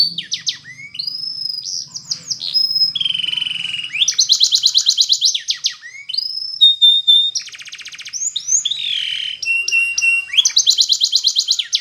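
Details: Spanish Timbrado canary training song: loud varied phrases of sweeping whistles, rolling metallic trills and steady held tones, switching style every second or two, in clean recording.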